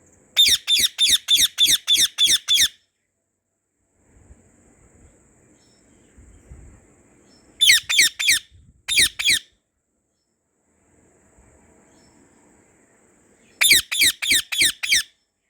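Budgerigar giving rapid bursts of harsh, squeaky chirps, several notes per second, separated by quiet pauses.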